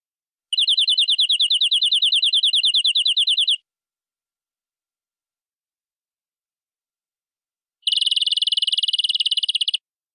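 Canary song in two fast, even trills of high, buzzy repeated notes, one about three seconds long and one about two, with silence between.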